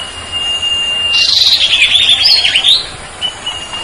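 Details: Common Iora, Sertu type, in a master song recording: a thin steady whistle broken by a burst of rapid chirping and twittering, heard against constant hiss and a low rumble.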